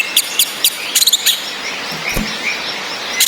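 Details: Orange-headed thrush female whistling with male singing, played to stir breeding drive and song in males that only twitter: sharp high chirps in quick clusters over a steady hiss of rain.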